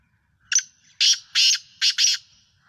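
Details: Sindhi black francolin in Pakistan gives a rasping call: a short clipped lead note, then four loud grating bursts, the final pair tightly spaced, with near silence around them.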